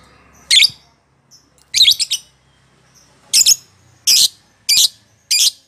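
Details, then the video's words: Lovebird in a cage, provocation sound to start ngekek singing: harsh, high, rasping squawks, some doubled or tripled, coming at uneven intervals over a soft low hum. "Pancingan Lovebird Ngekek konslet"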